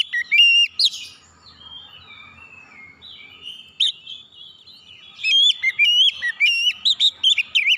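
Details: Oriental magpie-robin (kacer) song used as a lure to coax reluctant birds into singing quickly; loud bursts of varied, high whistled and warbled notes open the clip and return from five seconds on, with a softer, quieter warbling stretch between.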